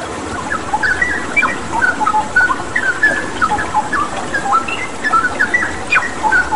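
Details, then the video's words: Straw-headed bulbul singing vigorously over a water-therapy soundscape, played as a training recording for pet birds: many short, clear whistled notes and slurred phrases, some rising and some falling, over a steady rushing-water hiss. "Masteran Cucak Rawa Gacor dengan Terapi Air"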